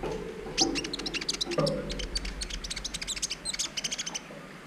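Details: Brown-throated sunbird training recording for arousing mating urge in other birds: a rapid, continuous run of thin, high chirps and ticks, denser toward the end, with faint low background hum.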